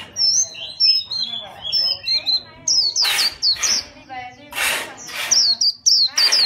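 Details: Chòe-style singing from a fighting white-eye: an even run of thin, high whistled notes gives way to sharper, louder twitters mixed with noisy rasping bursts.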